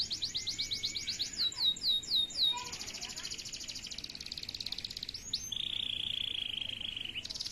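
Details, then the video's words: Male canary in full song: high rolling trills and quick swept notes, then a long steady whistled tone held for nearly two seconds, ending in another fast rattling trill. "تغريد فحل جزري ساده"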